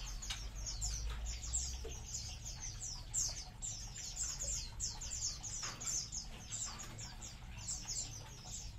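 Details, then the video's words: Colony munias keep up a steady chatter of high, thin, descending chirps, many birds calling at once in overlapping runs, with brief clicks and a constant low-frequency hum beneath. "COLONI BURUNG EMPRIT"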